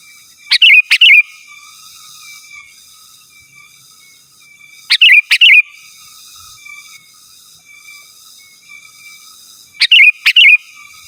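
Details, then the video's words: Sooty-headed bulbul singing to call rivals: short bursts of bright, bubbling whistled notes, three phrases spaced about five seconds apart, over a faint steady high hiss. "Suara Burung KUTILANG GACOR Asli Tanpa ISIAN Ampun Untuk Suara Panggilan dan Masteran"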